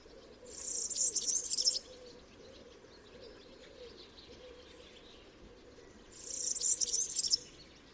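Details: European Serin song: two bursts of very high, fizzy, jingling twitter, each about a second long, separated by several seconds of quiet with a faint low hum beneath.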